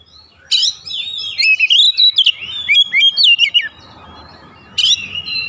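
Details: Oriental magpie-robin, agitated, unloading its learned filler repertoire: a loud sharp onset, then a stream of sliding whistles; a soft hiss follows before a final brief note.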